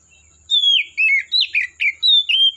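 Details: Wild Oriental magpie-robin from the forest delivers a fast series of about seven loud whistled phrases, each a rich descending slur with chattering edges, with barely a pause between them.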